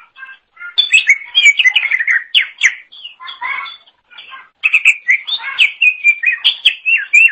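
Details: Green leafbird (cucak ijo) in energetic song meant as a model for training songbirds: dense varied whistles, chirps and trills almost nonstop, with one short pause midway.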